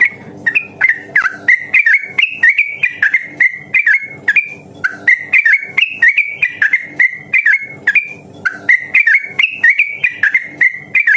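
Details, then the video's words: Training song of a sooty-headed bulbul, fast and long ropel singing used to stimulate other birds: bursts of ringing whistles with upward and downward slides, a brief pause near the middle, then the lively run resumes. "suara burung trucukan masteran harian cepat ropel dan gacor"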